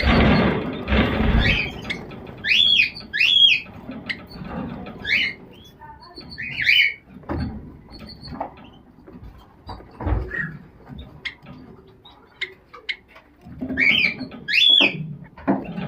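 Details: Zebra finch (Taeniopygia guttata), calls.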